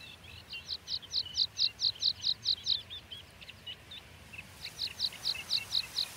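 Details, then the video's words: Pipit, called spioncelle, giving rapid series of thin, high, slurred notes, about two per second, in two bursts separated by a short pause, against a quiet natural background. "Pipit spioncelle"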